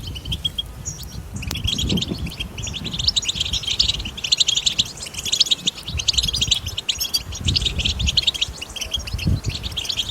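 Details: Wild European goldfinch recorded in the wild to spur captive goldfinches to sing: a dense, rapid, unbroken twittering of high tinkling and buzzy notes, with a low rumbling background noise.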